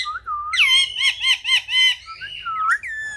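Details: Pet parrot indoors giving a rapid series of five or six bright, harmonic chattering notes, each arching up and down, followed by quicker whistled squeaks and a short sliding call.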